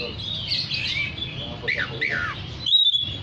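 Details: Song of an oriental magpie-robin meant to draw in others of its kind: a short run of warbled, sliding whistles and a sharp high note near the end, with a constant low droning hum underneath.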